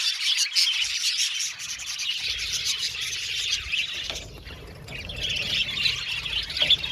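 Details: Budgerigar colony chatter in an aviary: bright overlapping chirps and warbles that thin out briefly around the middle, then build again into a busy twitter with sharp squeaks near the end.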